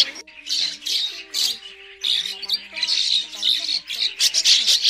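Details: Migrating Red-billed Starlings, used as a trapping lure call, chatter in a dense, harsh, overlapping flock, with squawks and scratchy notes over steady lower whistled tones.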